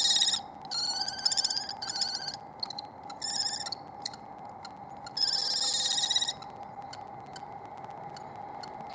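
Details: Wild Common Kestrel at a nest site in spring: the resident female chases a second female while the male looks on. Bursts of shrill, harsh chattering calls come in irregular runs, with a steady electrical hum beneath.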